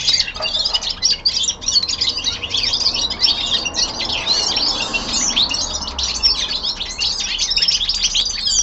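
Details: Young male linnet at home with its winter descant: rapid high chirps and twittering phrases in a near-continuous run, with small gaps early on, over quiet room noise.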